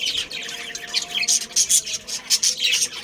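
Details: Chirps and twitters from a budgie family colony of breeding birds, high, bright notes coming in rapid bursts, with a few louder squeaky peaks toward the middle and end.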